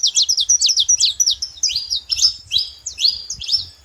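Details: Saffron finch singing wild in nature: fast, bright, high-pitched chirps with down-slurred strokes, about two per second, becoming slightly softer and more spaced toward the end.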